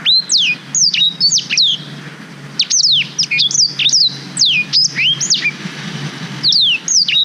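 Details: Black-throated canary song used for tutoring young canaries, recorded on a GoPro Hero 5: loud, high whistled notes, many sharply falling slurs and short rising sweeps, delivered in quick bursts separated by brief pauses, with faint low background hum.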